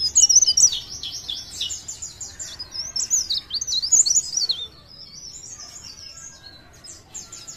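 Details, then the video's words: Cikrak daun, a leaf warbler from Parepare, delivers an energetic rippling trill of very high zigzag whistles for about five seconds, then trails off into faint soft notes. "CIKRAK DAUN | PARE PARE | BLERENG GACOR❗"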